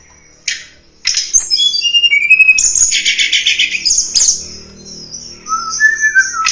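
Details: Lesser shortwing lure song for drawing in wild birds. A brief whistle is followed by a pause, then a loud, dense burst of high twittering and buzzy trills, ending in falling whistled notes.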